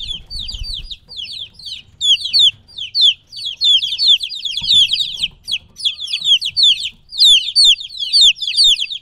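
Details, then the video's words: Young chicken chicks about three weeks old, kept apart from their mother, cheep noisily together. Sharp, falling high-pitched peeps come in rapid overlapping bursts with short pauses between flurries. "2 HOUR OF LITTLE CHICKENS CHIRPING NOISE"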